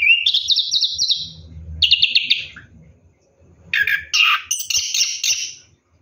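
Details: Orange-headed thrush singing during a night bath: rapid rattling trilled phrases, a pause, then bright jumbled whistles, with faint water splashing in the gaps.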